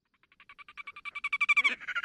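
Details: Red-necked grebe during fighting and courtship display: a rapid series of nasal pulses, accelerating and swelling in loudness, then breaking into a harsher rattling phrase.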